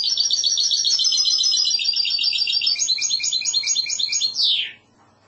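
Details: Goldfinch hybrid delivering classical Andalusian song: a sustained, shimmering high trill that shifts to choppier repeated notes and ends in a smooth descending slur.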